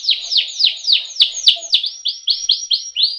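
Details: Canary song with ngeroll rolling style, used as a training recording to get other birds singing: a series of high descending sweeps, then rising slurred whistles repeated about four per second, with sharp clicks between.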